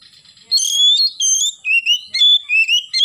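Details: Oriental magpie-robin singing loudly in the morning in the fast 'gacor nembak' style: clear whistled phrases, some rising and some wavering, delivered in quick bursts after a brief quiet start.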